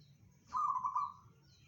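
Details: A single rolling, rapidly pulsed coo from a local zebra dove in the bedah karang singing style, its voice said to reach 500 meters, over a quiet low hum.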